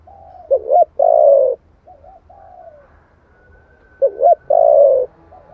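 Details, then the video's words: Spotted dove giving a 'giọng thổ' style song used to stir wild doves. Loud phrases of a double coo and long low note, with softer, fading echo-like coos between them. "tiếng chim cu gáy giọng thổ chuẩn kích bổi nhanh nổi"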